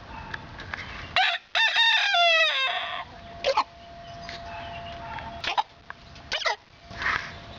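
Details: Hen with the hiccups: a drawn-out, wavering, descending squawk followed by sharp isolated hiccup-like clucks every second or so, with a steady background hum.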